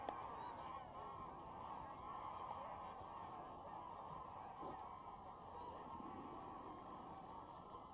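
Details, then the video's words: Many geese honking together as they take off and land over Wicken Fen and Burwell Fen on a September 2016 evening; a continuous, thick wash of overlapping calls with no single bird standing out. "Lots of Geese take off & land"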